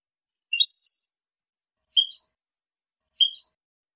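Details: European goldfinch from Casablanca, Morocco, giving a clean song in three short, separate bursts of high, bright twittered notes about a second and a half apart, against silence.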